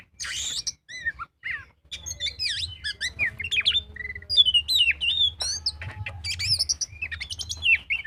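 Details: Magpie-robin in full song for luring birds to sing: bright whistled slides and twisting phrases over a faint low hum in the background.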